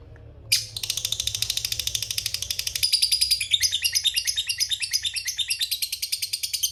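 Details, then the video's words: Long 'ngekek panjang' chatter of a fighter lovebird, played to provoke rival birds: after a brief quiet start, a piercing high trill of quick pulses starts abruptly and continues steadily, turning slightly more warbled in its second half. "suara Burung Lovebird Fighter Ngekek Panjang"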